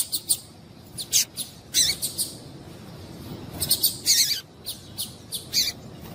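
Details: Calling to stimulate a male, a female double-collared seedeater gives a busy string of short, high, buzzy chips and a few longer harsh notes, irregularly spaced over six seconds, with faint background hiss.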